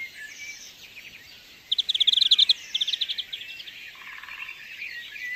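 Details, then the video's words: European greenfinch recorded in the wild gives a brief fast trill followed by a shorter rattling phrase, with softer distant twittering and a low trill from another bird before and after. "European Greenfinch Sound – Song & Bird Calls"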